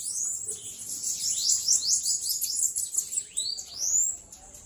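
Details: Very high, hissing twitter from a loose bananaquit, dense rapid notes throughout, ending with two separate arching whistled sweeps.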